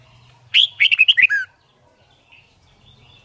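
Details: Competition song of a white-cheeked red-whiskered bulbul, played to teach birds song quickly: one loud, fast phrase of about six liquid whistled notes lasting a second, then near silence with a faint low hum.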